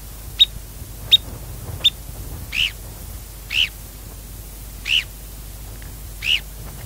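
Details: A male grey phalarope giving territorial calls: three sharp, high clicks, then four longer, buzzier notes about a second apart, over a low rumble of wind.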